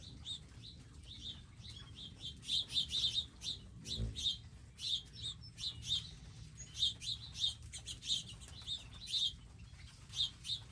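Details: Wild birds visiting a garden feeding area with feeders, seeds and water; short high chirps repeated in quick irregular bursts, overlapping from several birds, over a low background rumble.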